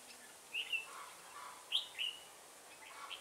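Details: Red-whiskered bulbul decoy singing at a trap to draw a rival on a cold windy day; two clear whistled phrases, each a quick rising and falling pair of notes, over a quiet background.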